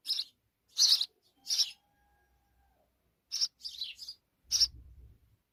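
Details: Sparrow mother and her young: scattered sharp chirps, three closely spaced then a pause and a few more, with a faint low hum and a soft rumble near the end.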